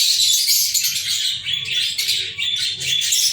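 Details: Pet lovebirds on 14 February 2023 give rapid, high, scratchy chirps and thin whistled squeaks, many birds calling together over a faint low hum.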